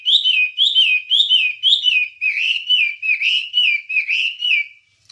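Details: Wambie song from a long master recording for training songbirds: clear whistled phrases that rise, then slide down, repeated about twice a second, with thin high overtones and a short pause before the end.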